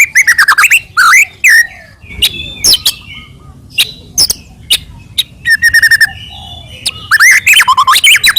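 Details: White-rumped shama, a Medan-type bird, in loud, full song used to provoke other shamas into singing: rich ringing whistles, rapid rattling trills and sharp upslurred notes in dense bursts, broken by brief pauses.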